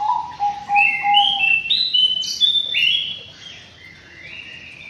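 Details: White-rumped shama singing in an aviary: a series of short fluty notes climbing in steps from low to high, roughly three per second, ending in longer high whistles that slowly fade.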